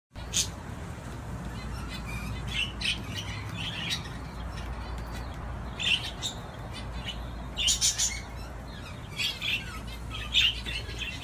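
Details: Budgerigar playing on a swing: short scattered high chirps and squeaks at irregular intervals over a steady low hum.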